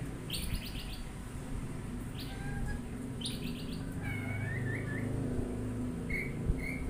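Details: Oriental magpie-robin giving short bursts of buzzy, rasping notes followed by thin, rising and wavering whistles, with a steady low rumble of background noise throughout.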